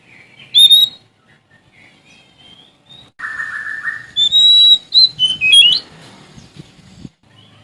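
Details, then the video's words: Sumatran Oriental magpie-robin singing to challenge an opponent: a single sharp note, soft scattered whistles and a buzzy rising sound, then a loud phrase of long whistles and quick slurred notes over faint background noise. "Suara Asli Kacer Sumatra Gacor Cari Lawan"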